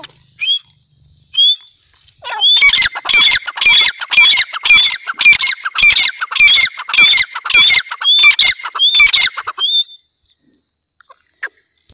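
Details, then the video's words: Grey francolin, known locally as silver teetar, calling loudly: two soft thin introductory notes, then a rapid run of about fourteen harsh, squawking, evenly spaced phrases over eight seconds before falling silent. "Silver Teetar Call | Teetar Awaaz"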